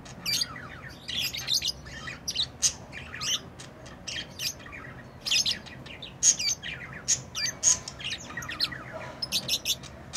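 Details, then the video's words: Tamed lovebirds chattering: dense runs of rapid, shrill chirps and scratchy squawks, some notes very high and piercing, coming in bunches with short pauses. "Love birds beautiful Love ❤️ | chirping sounds"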